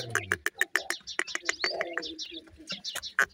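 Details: Young grey francolin chicks, called teetar, feeding: quick series of clipped, high peeping chirps, uneven in spacing, mixed with a person's speech in the background.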